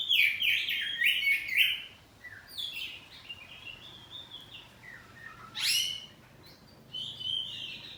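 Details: Oriental magpie-robin of the kacer poci type, kept at home, singing loudly back and forth: dense scratchy warbling at the start, then softer twitters and a few sharp high bursts against a noisy background.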